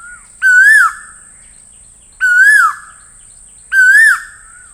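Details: Three loud Asian koel calls, each a ringing whistle that climbs and then drops away, evenly spaced about one and a half seconds apart.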